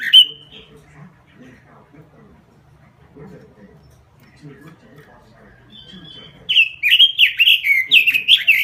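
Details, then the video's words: Lively robin lure song for training birds: quiet murmuring background first, then a burst of rapid, bright warbled whistles in the final two seconds. "Suara Pikat Burung Robin Full Gacor . Masteran Burung Robin"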